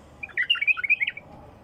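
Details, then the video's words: Wild bulbul delivering a rapid, bubbly phrase of clear, whistled notes packed into about one second, loud and close against a quiet background. "بلبل خام وحشي"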